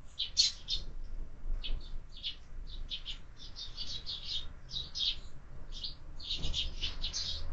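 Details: Steady stream of sharp, repeated chirps from sparrows feeding at a window-mounted feeder in the morning, the notes coming several per second with short gaps.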